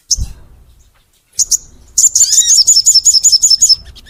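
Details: Crimson sunbird in full song, recorded as a master to prompt sunbirds to sing: a few isolated high chips, then a fast, even trill of very high notes lasting nearly two seconds, about three per second.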